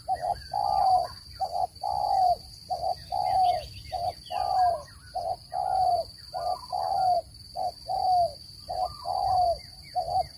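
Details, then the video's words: Spotted dove calling, recorded for luring birds into traps: paired short coos then a longer falling coo, repeated steadily about once a second over ten seconds, with brief faint chirps of other birds. "Tiếng chim cu gáy dùng để bẫy chim,giọng chuẩn không tạp âm"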